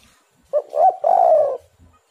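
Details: Spotted dove cooing phrase from a lure recording for doves. A brief opening note, a two-part coo and a sustained burry final coo, with a faint low sound afterwards.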